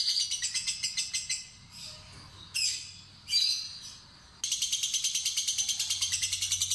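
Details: Timid fighter lovebird trilling as a lure: a fast chattering trill, then a pause with a few harsh squeaky bursts, before the high rapid ngekek rattle resumes strongly to the end.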